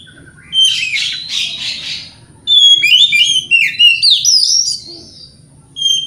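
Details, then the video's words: White-rumped shama singing in the morning to provoke rival birds into answering: bursts of buzzy, chattering notes high in pitch, then a run of clear rising and falling whistles and trills, with a low steady hum beneath. "Pancingan Kacer Gacor Pagi Hari Bikin Lawan AUTO NYAUT!!!"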